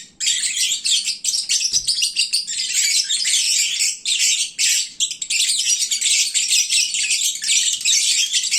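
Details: Full, sleepy lovebirds at midday sounding like a bird market: an unbroken wall of high, scratchy chirping and squeaks from many birds throughout.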